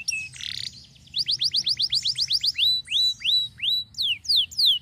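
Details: Canary song: a brief buzzy phrase, then a fast series of downslurred whistles that slows into spaced, drawn-out falling notes repeated about twice a second.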